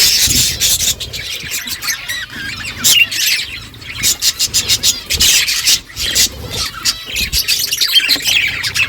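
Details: Budgerigars as a morning flock talking to each other: a dense, unbroken stream of rapid high chirps, clicks and warbling squeaks, busiest near the start and end.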